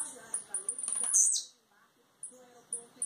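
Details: Song of a blue-black grassquit in Campos dos Goytacazes, Rio de Janeiro state, Brazil, leaving molt: accelerating high chips rise into a bright buzzy phrase that falls away abruptly, followed by a short pause and a few scattered high notes.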